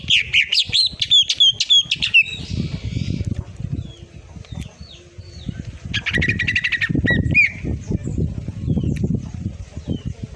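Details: Cucak ijo full tembakan song for masteran: dense bursts of high chirped and whistled notes during the first two seconds, later scattered short calls and a buzzy trill, over steady low rumbling noise.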